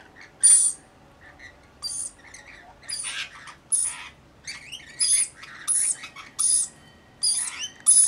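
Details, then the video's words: About 40 Rainbow lorikeets in a flock caring for a lone baby. Scratchy, shrieking bursts fire irregularly, some sliding and squealing, each laced with a thin piercing whistle, over faint background hum. "Baby Rainbow Lorikeet with small flock"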